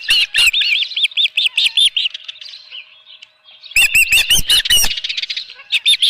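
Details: Osprey at a ranch nest with a live fish, 7:32 AM, 24 June 2018; a regular series of bright arched whistles fades, near silence follows, then loud rapid chirping bursts return with faint rustling.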